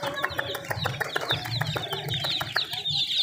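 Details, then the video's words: High, thin peeps from a brood of chicken chicks, mixed with a fast series of dry tapping clicks and a low steady hum. "Free Sound effects Chicks"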